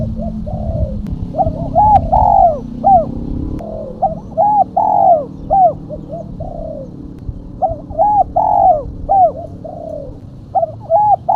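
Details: Female spotted dove calling, used as a lure for catching doves: soft hooting coos in repeated phrases, a short note then a longer falling one, with arched upward-sweeping notes, low background rumble throughout.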